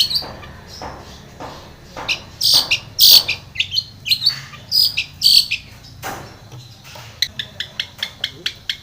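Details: Long-tailed shrike song intended to provoke a silent bird: loud harsh scratchy bursts mixed with bright squeaks, ending in a fast series of short high ticks, low hum in the background.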